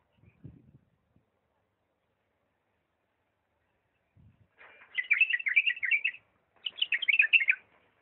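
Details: Bulbul from Diyala, 'lisanat' song style: after a few low thumps, two long bursts of fast, chattering, warbled notes pour out, separated by a short pause.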